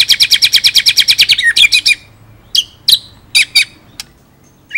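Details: Murai batu, the white-rumped shama, in 'ngerol nembak' song: a fast rattling roll, then scattered sharp whistled notes with gaps between them.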